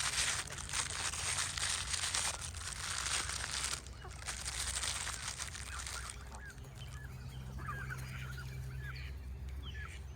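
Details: A loud rushing noise gives way to a flock of Canada geese being fed nuts, calling with short upslurred honks overlapping at an irregular pace over a low hum.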